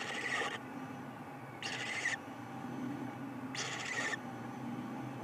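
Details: Owlet perched in the doorway of a nest box, 1 April 2020 at 12:50 pm, vocalizing on spotting something: three loud, raspy hissing screeches, each about half a second, spaced roughly every 1.5 to 2 seconds.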